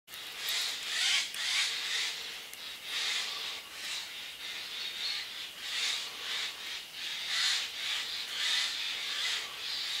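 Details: About ten unseen Eurasian jays fly in close over dense bamboo thicket and call back and forth, trading harsh, rasping screeches in overlapping bursts every half second or so, with a faint hiss beneath.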